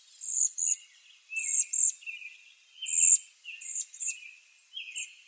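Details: Bohemian waxwing calls: short, high, buzzy trills in bursts. Lower, slurred notes are interleaved. The background is quiet.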